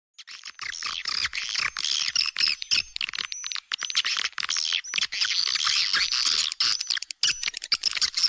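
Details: Swiftlet lure calls made for swiftlet houses: dense, rapid chattering twitters and chirps, heavily overlapping in a continuous high-pitched stream with thin whistled streaks on top, choppy and pulsing, with no low sounds.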